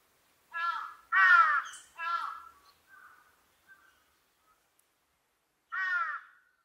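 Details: Large-billed crow giving its everyday call: a few harsh, nasal caws, the second loudest and longest, then softer short notes trailing off, and one more hoarse caw after a pause of about two seconds.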